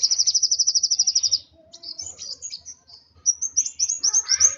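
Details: Agitated sunbird, known locally as kolibri wulung, singing a rapid, high, ringing trill of about a dozen evenly spaced notes, then a short pause and a burst of thin, buzzy, high twittering ending in another fast trill.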